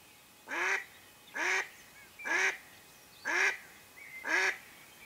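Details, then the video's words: Female mallard serving as a hunting lure, calling with five evenly spaced, loud nasal quacks nearly one second apart against a steady low hiss. "Ducks hunting by mallard Hen"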